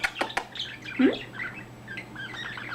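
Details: Male pet budgerigar chattering indoors while making head movements: quick clicks, then a jumble of scratchy warbling chirps, with a short human murmur near the start.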